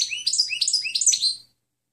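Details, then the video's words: European goldfinch song from a clean training recording for other birds: a continuous, fast string of sweet, sliding chirps and twitters about one and a half seconds long, ending in silence. "Canto del Jilguero Limpio Chant chardonneret"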